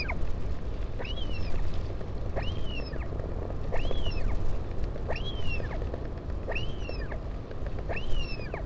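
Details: Northern royal albatross at the Taiaroa Head colony near Dunedin, New Zealand, on 16 July 2019 as a parent visits its chick: six arched whistled calls, rising then falling, about one per second over constant low wind rumble.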